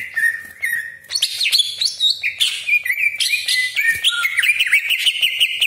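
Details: Greater green leafbird used as a lure to rouse rival leafbirds, delivering an unbroken energetic song of sharp whistled shots, rasping crackles and fast trills at varied pitches.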